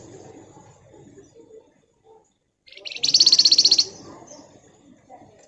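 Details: Pied fantail (flamboyan) in lively ngebren song, delivering one tight, rapid, buzzy chattering burst of about a second, evenly pulsed, after faint low murmurs and a short silence.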